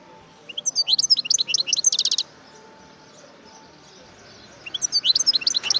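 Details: Wild European goldfinch in Algeria sings a lively phrase of high, varied chirps ending in a buzzy rapid trill, then after a two-second lull resumes with further bright twittering notes.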